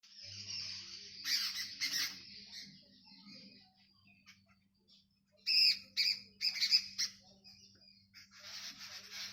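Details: Several birds chirping in a village: bursts of harsh, high squawky chirps around two and six seconds over a continuous high hiss, with a faint low hum throughout.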